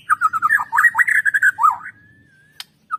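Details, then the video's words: Energetic white-rumped shama song, recorded to prompt other birds into singing: a fast stream of warbled, fluty whistles that dip and rise, then a long thin drawn-out note, a sharp click and a final short whistle. "PANCINGAN Murai Batu Agar BUNYI GACOR"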